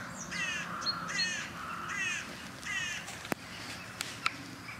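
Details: Carrion crows on a warm February feeding round give harsh, grating caws, about four rasping calls in quick succession with irregular gaps, over a faint background hum and a couple of sharp clicks.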